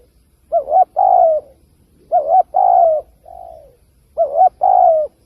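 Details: Spotted dove calling as a trapping lure. Three loud two-part coos sound, each a short wavering note and then a drawn-out falling one. A softer, lower single coo slips in between the second and third phrases.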